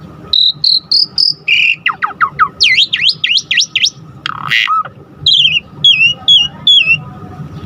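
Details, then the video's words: Asian pied starling song used to provoke rival starlings: clear level whistles, falling slurred notes, a string of looping V-shaped whistles, one harsh squawk, then thin downslurred whistles. "Pancingan Jalak Suren GACOR Full Isian Bikin Tambah Emosi Burung Jalak Agar Lain Tambah Gacor Full"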